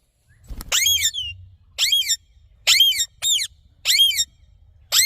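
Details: Rose-ringed parakeet giving six loud, harsh, high screeching calls, each a short burst with a rasping edge, spaced about a second apart over a quiet background.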